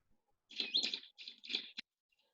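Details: Grey-backed Camaroptera call played back during a birding talk on Namibia, Botswana and Zambia, jokingly nicknamed 'camera operator' because it sounds like a camera rapid-firing: three high, harsh, rattling bursts, then a short click.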